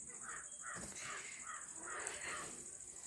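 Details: Talking pet parrots give a run of harsh, buzzy squawks, roughly four or five within three seconds, with a steady high electrical whine throughout.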